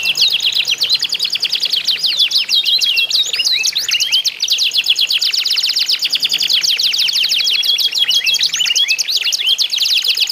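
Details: Canaries in a singing contest that serves to spur other canaries into song: dense, high, rapid trilling with fast repeated chips and sweeping notes, unbroken for the whole stretch.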